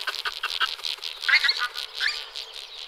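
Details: Pink-footed goose flock calling, rapid overlapping honks and squeaky yelps packed closely together, with a few louder nearer calls standing out.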